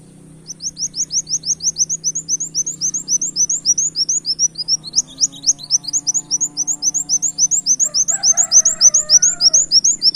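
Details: Brown-throated sunbird singing in the canary-imitating gacor tembak kenarian style, a recording meant to lure birds: an unbroken run of thin, high upslurred chips at roughly three to four per second, over a faint low hum.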